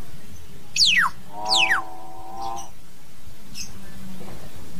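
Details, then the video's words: Common hill myna calling to its flock: two loud, steeply falling whistles about a second apart, then a brief nasal buzz, over a low steady background hum. "Tiếng Nhồng hót, tiếng Yểng hót gọi đàn"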